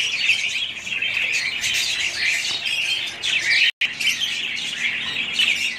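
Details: Pet budgies chattering in a lively high warble of chirps and squeaks, interrupted by a moment of silence before the chatter resumes.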